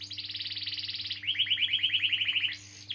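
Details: Canary in long rolling song, played to start young or mute canaries singing: a fast high buzzing trill shifts to a lower, louder pulsed roll of rapid beats, then a brief rising note, with a faint electrical hum.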